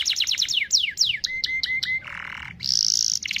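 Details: Canary in vigorous long song, used to prompt other canaries to sing: rapid downslurred whistled notes, then level tones around a steady pitch, a harsh buzzy burst, and a bright high rattling trill.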